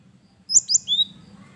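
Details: Varied song of a male gelatik batu, the cinereous tit: two bright high notes followed by a lower, longer sliding whistle.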